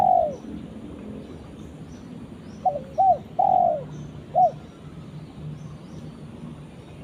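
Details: Spotted dove calling its companion: low, hollow cooing phrases of two short notes followed by a longer drawn-out falling coo, preceded by the end of an earlier coo, with quiet background hiss.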